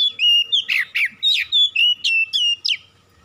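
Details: Oriental magpie-robin singing as a lure to prompt reluctant birds: a single unbroken run of about nine loud, sharp notes alternating between bright whistles and rasping, downslurred chips, fading at the end.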